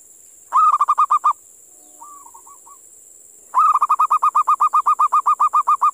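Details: A wild local zebra dove, caught at a sacred burial ground, calls in two runs of quick, soft, stuttering coos about four notes a second, with a steady high insect drone throughout.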